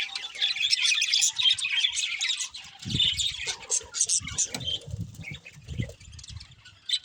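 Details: A group of budgies warbling and chirping rapidly, bright high twittering notes that thin out toward the end, with low knocking and fluttering sounds joining midway.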